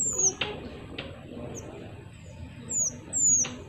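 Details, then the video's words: Pied triller in active song for luring wild birds, giving high, piercing whistles that sweep downward, spaced unevenly over a few seconds, with soft clicks and a faint hiss behind. "BURUNG MANTENAN MINI GACOR l Untuk Pancing Burung Ombyokan"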